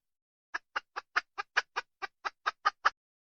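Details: Red junglefowl hen, wild, uttering twelve short clipped clucks about a fifth of a second apart, crisp and dry against near silence.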